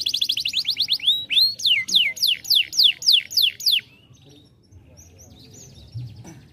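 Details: A canary sings to stimulate a young bird. It opens with a quick trill of short rising notes, then gives about nine bright, falling whistles in steady rhythm, and ends in faint scattered chirps.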